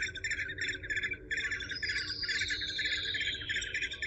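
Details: Eurasian hobby with a quick, steady chatter of short notes. A high, thin whistle rises and falls through the middle section above a low background hum.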